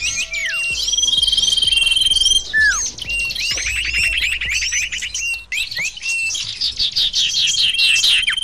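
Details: Sirtu birds used as lure audio: busy twittering with squeaky downslurs, a buzzy repeated chatter in the middle, and a faint continuous high whine.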